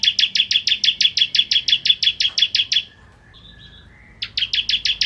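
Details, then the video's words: Bar-winged prinia of the crystal type, singing vigorously, used as a tutor recording for white-rumped shamas: rapid run of sharp, bright chirps about six per second, a pause with a thin faint note, then the chirping resumes. "Masteran Ciblek Kristal Gacor Untuk Burung Murai Batu Biar Gacor"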